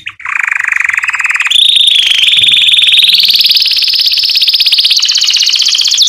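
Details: Canary song for teaching young birds: a long, dense, rapidly pulsed roll that starts lower, jumps higher and slowly climbs in pitch, then steps up again near the end.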